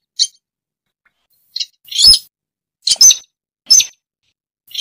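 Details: Sintar rail call played as a trapping lure: sharp high chirps, some with clicky broadband attacks, coming in quick irregular bursts of one to three notes; otherwise quiet.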